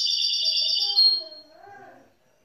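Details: Young goldfinch mule of grey-blue colouring: about a second of high, buzzy twittering song, then fading into lower, quieter wavering sounds before silence.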